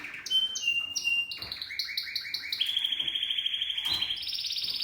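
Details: Seven-month-old male Spanish Timbrado canary, discontinuo song: short whistled notes, a run of bubbling glides, then a long rapid metallic trill that steps up in pitch near the end.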